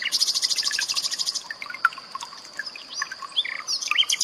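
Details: Common nightingale song in 'tembakan' style, mixed with water sounds as cage-bird training material. It opens with a fast, bright rattling trill, then gives scattered sharp notes and quick slurred whistles.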